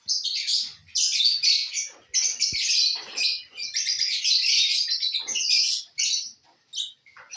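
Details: Lovebirds feeding on corn, producing an almost continuous, loud, shrill chatter of grating high chirps with only short breaks, and one faint click partway through.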